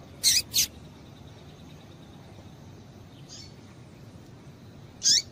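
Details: Female double-collared seedeater calls, used to stimulate the male to sing: a quick pair of high, sharp chips, then a single similar chip after a pause, over a steady low hiss.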